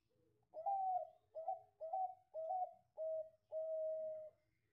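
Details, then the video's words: Bangkok-type zebra dove in vigorous song, in the style with a 'klaww' front and a long pulled ending: six clear cooing notes in close succession, the earlier ones wavering and the final one longest and steady. "Perkutut Bangkok Gacor Suara Cengkok Depan Klaww Ujung Narik"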